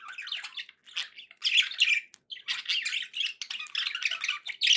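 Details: Budgies keeping company with a lively stream of rasping chatter and squeaky whistles, loud phrases separated by brief quiet moments.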